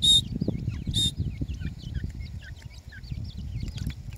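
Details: Feeding grey francolin chicks peep in rapid, irregular, high-pitched notes, each a short slurred whistle. Two sharp, loud, hissing bursts come in the first second, over a low rumbling background.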